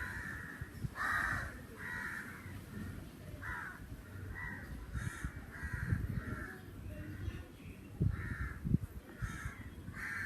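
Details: Crow in summer giving a long series of harsh, rasping caws, roughly one to two a second, some louder and nearer, with a low background hum and a few sharp knocks.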